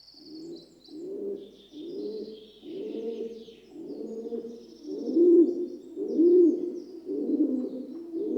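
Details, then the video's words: Rock dove, or pigeon, cooing gently: a steady run of low, soft, rounded coos, about one per second, swelling slightly louder toward the end. "Rock Dove (Columba livia) Sound Effect"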